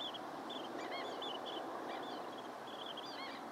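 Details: Long-billed dowitchers calling: a rapid chatter of short, high, squeaky notes, some in quick pairs, running over a steady broad rushing background noise.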